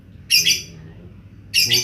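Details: Lovebird cackling: two harsh, shrill, noisy squawks about a second apart, each short and rasping, over quiet low background hum.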